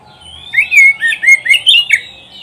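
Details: Oriental magpie-robin song recorded for training pet birds to sing: a loud phrase of six clear whistled and slurred notes between roughly mid and high pitch, delivered over about one and a half seconds, with faint low hum behind.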